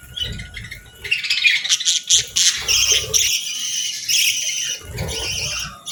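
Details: Budgerigars enjoying a morning feast and bird bath chatter in dense, scratchy high chirps and squawks, rapid and uneven, with occasional low knocks and rustles between calls.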